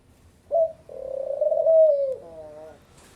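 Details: Picazuro pigeon singing: a short coo, then a long, steady, mellow cooing note that slides slightly downward and ends in a softer, wavering coo. The background is quiet.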